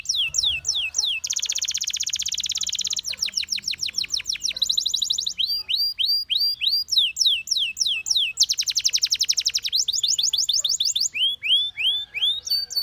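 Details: Canary song built from alternating tours: dense buzzing rolls, fast trains of sliding notes, and bouncy repeated upslurred whistles. Each phrase repeats many times before switching, over a low steady background hum.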